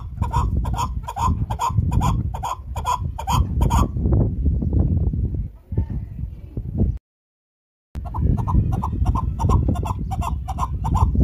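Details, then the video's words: Chukar partridge producing a steady, rhythmic chukar-chukar series of loud, harmonic clucks roughly three a second, fading into rougher sounds, then resuming after a brief silence; background rumble throughout. "Chakor ki Awaz | Chakor Sound | Keklik Sesi Sound"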